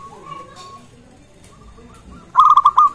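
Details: Local zebra dove calling to prompt other zebra doves to sing and raise their arousal. Faint, low trilled cooing gives way at the end to one loud, quick phrase of five bubbling coo notes.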